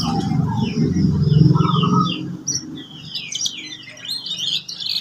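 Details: Canary song meant for teaching young canaries: thin high chirps and short trills above heavy low rumbling noise that fades halfway, leaving brisk scattered chirps.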